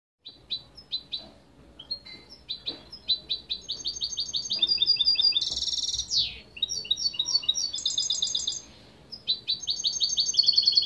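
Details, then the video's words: Spanish European goldfinch song: rapid tinkling, twittering notes in quick bursts, with short trills, a buzzy descending sweep midway and high ringing phrases, over faint low background noise. "تغريد جميل للحسون الإسباني"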